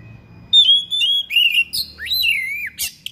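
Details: Thick-billed oriental magpie-robin singing persistently, showing off its fill-in phrases: clear whistled notes, some level and some sweeping down or rising, in short loud bursts over about two and a half seconds, with a steady faint high tone behind.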